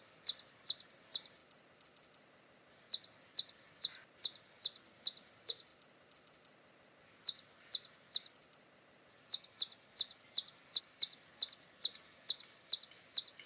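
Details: Hummingbird in Brazil calling in bursts of rapid, high, sharp chips, several per second, separated by brief pauses, with little background sound.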